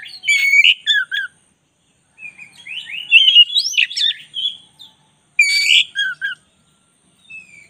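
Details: Black-breasted oriental magpie-robin singing vigorously. Bursts of rich whistles and scratchy notes are repeated with short gaps, including a long, tumbling run of varied high phrases in the middle.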